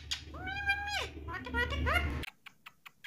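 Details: A pet rose-ringed parakeet talking, copying a phrase in human speech. Two nasal, voice-like drawn phrases with stacked overtones, the first held level then dropping, followed by a few soft clicks after a sudden cutoff.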